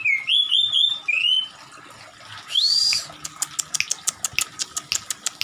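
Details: An Oriental magpie-robin, tail spread, excited and in attacking mood, sings rich, sliding whistled phrases and a rising whistle, then a rapid run of about a dozen sharp, dry ticking notes.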